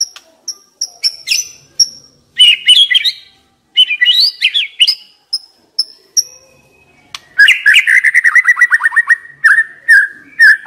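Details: A decoy white-rumped shama sings a long, varied song: thin high notes, twisting whistled phrases, then a fast descending trill ending in looping whistles.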